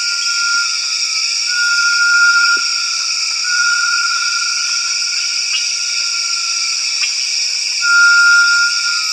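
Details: Great tinamou producing three sustained tremulous whistles at an even pitch, separated by short pauses, with a dense high-pitched insect chorus behind.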